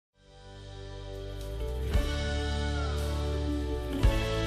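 Soft, sustained instrumental music swells gently with a couple of low thumps; no animal sound is heard.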